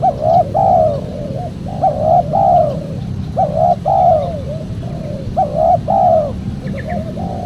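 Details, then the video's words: Cooing spotted dove, recorded as a lure for trappers to call wild doves: soft hooting coo phrases, each a quick note then a longer drawn-out coo, repeated about every one and a half seconds over low steady hum. "PEMANGGIL BURUNG TEKUKUR SUPER JERNIH"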